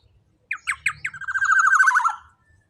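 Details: Loud black-naped oriole, meant as a tutor sound for training birds: four short nasal rising notes, then a long, harsh, trembling buzz that dips at its close. The background is almost silent.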